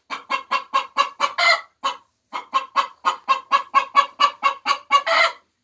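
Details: A hen's egg-laying song: quick clucks, about four a second, each run ending in a long, harsher squawk, in two bursts with a short pause between them.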